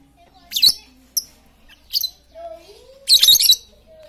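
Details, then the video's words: Noisy, talkative lovebird meant to prompt quiet birds to sing: short shrill squawky bursts, one clipped squeak, then a longer twittering rasp, with a faint low rising tonal sound in the background. "Pancingan Lovebird super cerewet untuk memancing Lovebird diam jadi fikter"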